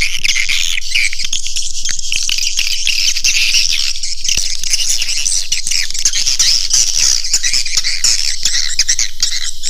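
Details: Swiftlet calls played to attract the birds into a nesting house: an unbroken, shimmering mass of high twitters and chirps, about four per second, steady from start to finish.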